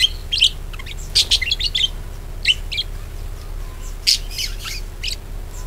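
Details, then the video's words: Warbling budgerigar chatter for coaxing other budgerigars into song: clustered bright chirps and twittering phrases in short bursts, separated by brief pauses, over faint low hum. "PANCINGAN PARKIT AGAR GACOR"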